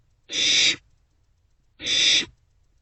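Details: Barn owl chicks in a nest box around 2 am on 27 March 2024, sharing a meal and passing the prey between them. Two loud, rasping, noisy hisses, each about half a second long, separated by a one-second pause.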